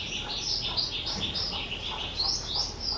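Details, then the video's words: Pet skylark, two years old, recorded 18 April 2023, delivering a dense stream of quick high twittering notes and bright whistled slurs in a lively, continuous warble. "Chim Sơn Ca 2 Tuổi"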